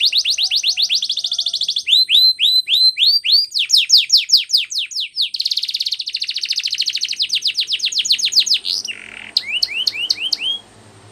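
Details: Singing canary used as a training song: long varied phrases of high upslurred notes, rattling trills and rolls in quick succession, then a short harsh burst and a few final chirps.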